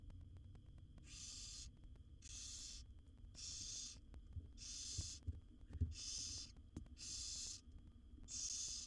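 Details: A brood of seven wild barn owl owlets begs in a nest box as the mother feeds them; seven rasping hisses in close succession with some irregular gaps, plus scattered low bumps and thuds from movement.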